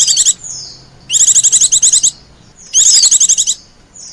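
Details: Lure call used to draw in wild white-eyes: three bursts of quick, high, buzzy chirps, each about half a second to a second long, spaced roughly every one and a half seconds.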